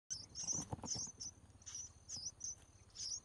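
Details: Red-whiskered bulbul chicks calling while their mother feeds them in the wild: quiet, very high thin squeaky notes in quick clusters, repeated several times over a few seconds with soft rustling below.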